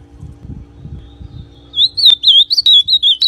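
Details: After a second and a half of low rumbling background, a brown-plumaged ultramarine grosbeak starts a rapid string of sweet, twisting whistled notes used to warm up another male, with short gaps between notes.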